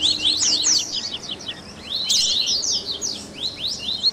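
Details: Double-collared seedeater chatter played to encourage a caged bird to sing: high, squeaky twitters and rising slurs with a loud burst around two seconds, then scattered upward-sweeping notes.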